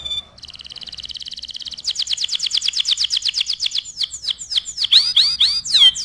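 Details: A canary sings lively 'gacor' song meant for tutoring other birds, opening with a short steady tone, then a fast even trill, a slower rolling trill and ringing looped whistles at the end.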